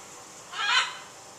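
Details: One hoarse, noisy kwaak from a neighbourhood bird calling through the morning of 23 January 2014, a single rasping burst of about a third of a second over steady background hiss.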